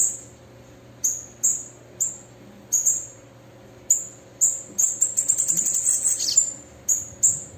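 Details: A female bananaquit gives piercing high chips, breaks into a fast, very high twittering trill partway through, then returns to single sharp notes.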